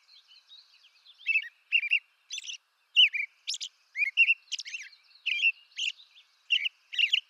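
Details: Eastern North American robin song: faint soft notes at first, then louder burry whistled phrases, roughly two to three per second, varying up and down, with high squeaks between; nothing else heard.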